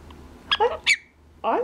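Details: Female pet Quaker parrot sitting on its owner's knee during the workday, giving a short burst of harsh, buzzy squawking chirps, a quick cluster of three notes, then a pause before another rasping call begins.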